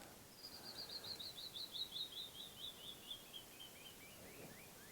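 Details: Wild canyon wren singing on a morning in canyon country of the Navajo homeland: a long cascade of clear whistled notes sliding steadily down the scale, about twenty quick notes slowing as they fall, with a soft outdoor hush behind.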